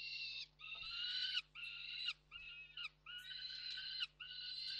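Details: Peregrine falcons, three birds, recorded at Reda Koksik on 29 June 2024: a series of harsh, nasal, drawn-out calls, each under a second, given in quick succession with short gaps, a faint steady hum underneath.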